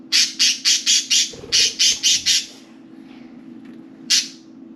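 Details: Pet budgerigars, four birds playing and talking around their cage; a rapid run of about nine harsh, hissy squawks several per second, a short pause, then one more squawk, with low hum behind.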